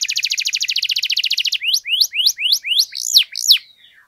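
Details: Canary singing a long 'gacor' song meant to stir silent canaries to sing: a fast, even, buzzy trill of about twenty notes, then a slower run of rising-and-falling whistled sweeps.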